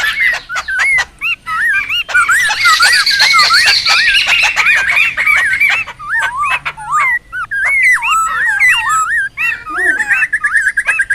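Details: Wild laughingthrushes calling noisily, used as a lure and tutor recording: clear wavy whistled notes repeat in loose series, broken by bursts of harsh chatter and a few sharp clicks, then a falling squeal.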